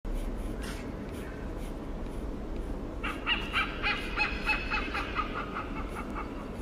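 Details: Hornbill in Singapore, calling while interacting: about three seconds of steady background hum, then a fast run of harsh, harmonic cackling notes repeated several times a second until the end.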